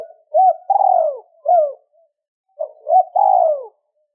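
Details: Two-tail-note cooing from a spotted dove, intended to provoke wild doves quickly. A rising hoot runs into a long downward coo and a closing hoot. The phrase repeats after a brief silence.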